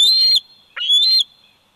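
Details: A bald eagle eaglet, 104 days old, calls from the Big Bear Valley nest, filmed by a nest cam on 27 July 2019: two high, thin squealing whistles with a short gap between them.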